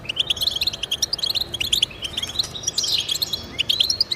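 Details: European goldfinch song to prompt pet goldfinches into singing: rapid high chirps in quick succession, a sweeping buzzy note midway, then more twittering.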